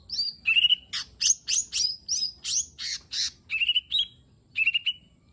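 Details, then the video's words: Energetic song of a lesser green leafbird (cucak ijo mini), meant to provoke reluctant birds into singing: dense run of bright chirps and slurred whistles, then paired descending whistles, with barely any pause between notes. "Cucak Ijo Mini 💯 Nembak Isian Bagus Buat Pancingan Jomin Malas Bunyi Agar Cepat Gacor"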